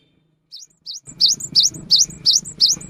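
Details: Cinereous tit singing actively, a lure for the rainy season: two softer notes, then a louder run of repeated swooping whistles, each dipping and rising with a thin high follow note.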